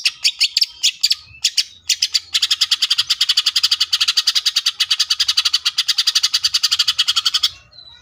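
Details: Greater green leafbird (cucak ijo) delivering a full tembakan burst: a few scattered harsh notes, then a long machine-gun rattle of rapid, evenly repeated buzzy chips lasting about five seconds.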